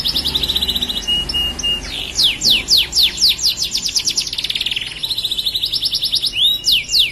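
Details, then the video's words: Gacor song from a tame canary: buzzy rolling trill, then a brief level whistle, then a series of steep descending notes and more fast rattling trills, all high and rapid, roughly four elements a second. "Suara Burung Kenari Gacor Jinak"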